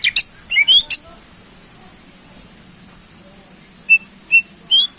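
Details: Greater green leafbird singing to rouse contest birds: a cluster of sharp rising whistles and high chips at the start, a pause, then three separate clear whistled notes spaced about half a second apart.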